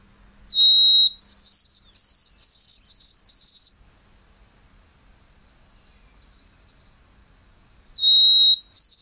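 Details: A White-throated Sparrow in spring in eastern North America sings a pure, clear whistle opening on one note, then stepping higher into repeated even whistled notes ('sweet Canada'), the phrase beginning again after a pause.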